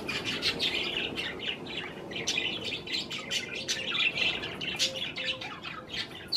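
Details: Parakeets of the budgerigar kind eating cherry tomatoes keep up a continuous high twittering chatter, rapid scratchy chirps packed closely, with a few faint clicks underneath.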